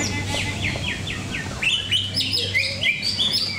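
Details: At a songbird contest arena in Cikeas, a greater green leafbird delivers bright, high chirps and downward-slurred whistles in a fast, varied stream, then squeaky rising notes, over a steady low hum and faint background voices.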